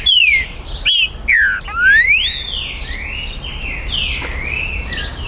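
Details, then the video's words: Green-winged saltator kept by a Brazilian breeder, September 2020, singing to challenge rivals over territory. A few loud whistles open the recording, curving down, then one rising slur, followed by a faint chorus of other birds. "ESQUENTE MUITO seu TRINCA FERRO"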